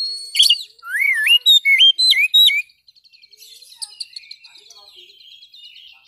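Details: Song of an Oriental magpie-robin (kacer), used to train caged songbirds: loud looping whistled notes that rise and dip in quick succession, followed by a softer, scratchy twittering trail.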